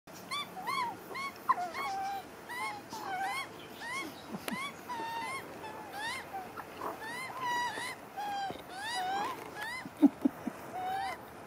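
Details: Magpie family eating after a fight and making funny sounds, the adults sometimes annoyed with the young ones: bent, honking whistled notes repeat quickly through the whole stretch, rising and falling, with a few sharp knocks.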